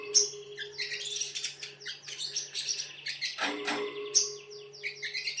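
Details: Sogon singing in the konslet style, a dense run of high, rapid chirps and twittering notes with sharp whistled accents near the start and around four seconds, over a steady low hum.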